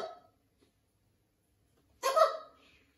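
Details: Blue-and-gold macaw at a parrot rescue sanctuary, adapting to a new flock; a short harsh squawk comes after a brief opening note and a long pause, indoors.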